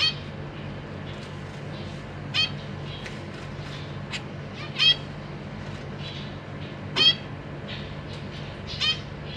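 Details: Caged zebra finches: a pair with three juvenile and three newly hatched young, parents busy feeding. Short nasal calls with bright harmonics, four louder ones spaced about two seconds apart, softer calls between, over a steady low hum.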